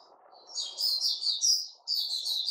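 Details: Sooty-headed bulbul in a cage, 10 July 2021, giving quieter slurred chirps that run together into a short twittering phrase over faint low background noise.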